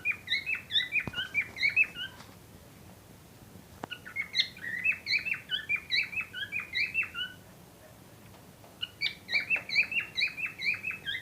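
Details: Breeding-ready cockatiel pair chattering in fast runs of sharp chirped notes, roughly two to three per second, broken by short silences, with a couple of faint clicks.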